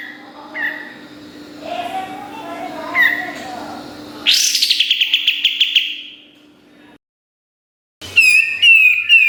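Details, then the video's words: Kapas tembak on a songbird training recording: softer mixed whistles at first, then a bright, quick rattle of repeated sharp chirps, and after a silent break a final burst of chirping. "Masteran Kapas Tembak Gacor Nembak Isian Tajam Full"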